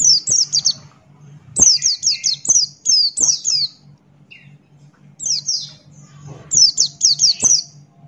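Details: Rapid 'ngalas'-style phrases from a Buxton's white-eye: tight bursts of high, thin, downward-sweeping whistles in groups of four to five, with short pauses and a faint electrical hum.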